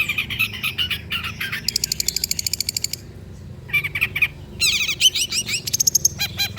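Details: Long-tailed shrike song used as a lure to prompt reluctant shrikes into singing: bursts of harsh, buzzy, rapidly stacked notes alternating with short clear chirps, over a low steady background hum.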